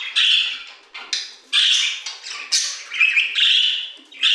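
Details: Budgerigars in an aviary utter short, separate bursts of buzzy, squeaky chatter, about one burst every second, each a harsh warbled chirrup followed by a brief pause.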